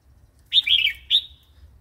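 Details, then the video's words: A red-whiskered bulbul sings a wild-style song phrase (phleng pa), played to train young and wild-caught birds. A quick cluster of rich, slurred whistles is followed by one clear note that trails away. "เสียงนกกรงหัวจุก เพลงป่า"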